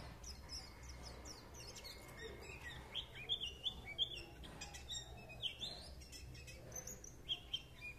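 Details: White-eye in lively twittering song, rapid high chirps and short slurred whistles, irregular and quickening in the middle, with a low steady hum beneath.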